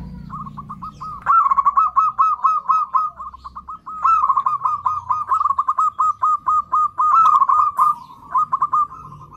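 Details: Zebra dove lure call meant to attract other zebra doves: two long series of quick, rolling, bubbling coos, each note slightly stuttered, held at a steady mid pitch, with quiet low background hum.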